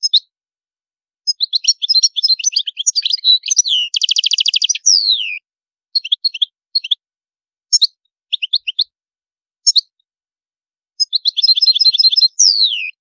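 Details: European goldfinch in high maqamat: long twittering phrases, a loud buzzy trill, sliding descending whistles, scattered chirp pairs and a closing rattle and downward whistle, all clear and bright.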